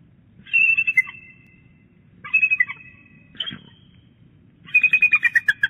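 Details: A female bald eagle at Big Bear Lake calls early, around egg rolling, on 11 January 2018: three bursts of thin, high, rapid chittering piping notes over a low steady rumble of wind.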